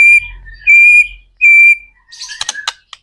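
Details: White-rumped shama whistling to draw song from other shamas: three loud, pure, level whistles, then a cluster of scratchy, buzzy bursts.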